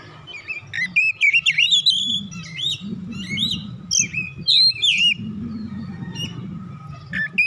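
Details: Oriental magpie-robin (kacer bahan) in lively provoked song: dense varied whistles, twisting slurs and chirps in rapid succession, with a noticeable low rumbling background noise throughout.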